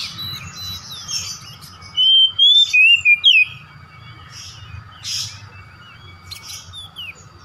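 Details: Kacer, the oriental magpie-robin, in a lure recording for a home-kept bird: one tight burst of about six loud whistled notes near the two-second mark, then scattered faint chirps over a constant low hum.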